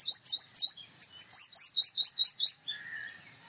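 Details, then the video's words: A male purple sunbird sings a rapid rattle of high, ringing metallic notes, about a dozen in quick succession, ending abruptly and followed by a faint lower tone. "Purple Sunbird Sound / Purple Sunbird Song / Purple Sunbird Call /Male Purple Sunbird Vocals, Voice"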